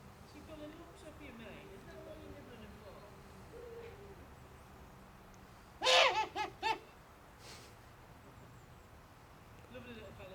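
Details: Captive owl at the Screech Owl Sanctuary in Cornwall, UK, making a strange noise: a burst of four rapid, loud, laughing rasping notes in under a second, preceded by quiet murmuring and faint background sounds.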